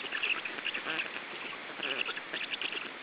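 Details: Black stork chicks in their third week of life begging while being fed at a nest in Estonia on 14 June 2013: continuous harsh, rasping wheezy calls with rapid pulsed bursts, several chicks overlapping.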